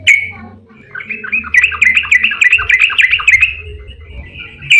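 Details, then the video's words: Yellow-vented bulbul in a long rapid 'ropel panjang' song, used as a lure to get other bulbuls singing: a fast run of bubbly, slurred notes near two to three kilohertz, chattering continuously for about three seconds. "Suara trucukan GACOR EMOSI ROPEL PANJANG buat pancingan trucuk agar cepat bunyi"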